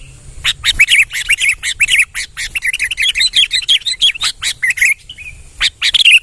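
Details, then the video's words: Lively song of a sooty-headed bulbul: a steady stream of short, sweet chirps and warbles, closely spaced and rhythmic, with occasional sharp clicks and a thin drawn note near the end. "BURUNG KUTILANG TERBAIK SANGAT GACOR"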